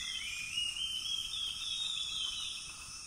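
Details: A wild juvenile female harpy eagle in the Amazon, after hunting, gives a thin, high, drawn-out whistle that wavers slightly upward, over a steady shrill drone of insects.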